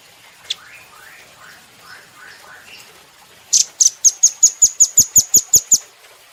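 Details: Velvet-fronted nuthatch, a training recording for cage birds: faint buzzy downslurred notes, then a fast series of about twelve sharp high chip notes at a steady rhythm, roughly five per second.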